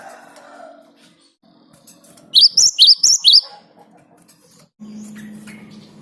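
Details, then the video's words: Great tit (Parus major) song recorded as a lure to make other birds sing: a short, loud run of four or five high, ringing notes set against a low, steady hum and murmuring background noise. "Ngalas Ngerol Burung Gelatik Batu Gacor buat Pancingan"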